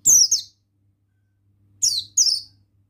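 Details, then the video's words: High, sharp twin chirps from a male buxtoni Oriental white-eye singing ngalas style, each note falling quickly in pitch; one pair opens, then a second pair follows after about a second and a half of quiet hum. "Suara Ampuh Pemasteran Burung Pleci Bustomi Ngalas Ikutan Bunyi"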